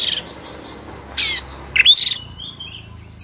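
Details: White-rumped shama, a Sumatran bird, singing with tail spread in an agitated fighting mood: a harsh buzzy burst, then a rising slurred note and thin high whistles over quiet background.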